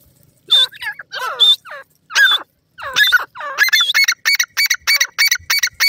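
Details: Grey francolin chicks fighting over grass in a forest: loud harsh, squealing calls with rising and falling harmonics, then a fast run of short sharp notes repeated about twice a second toward the end.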